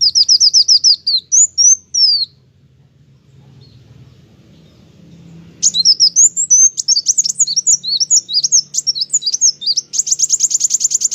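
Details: Olive-backed sunbird (kolibri wulung, kowul) in full, lively song. A rapid series of high sliding chirps is followed by a pause, then a longer run of varied high twitters ending in a fast, buzzy trill. A soft low hum sits underneath.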